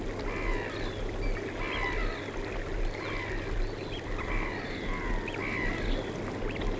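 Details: Eurasian oystercatchers calling alongside black-headed gulls in Norfolk, U.K.: repeated, sharp, piping strokes, some rising and some falling, come in overlapping bursts over a steady low rumble, with several birds heard at once.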